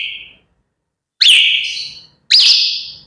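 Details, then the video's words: Grey parrots at wake-up time giving clear, pure whistles: a short steady tone, then two loud notes that swoop up and hold high and level, each fading away, with silence between. "Grey Parrots Chattering and Bird Sounds to Wake Up to"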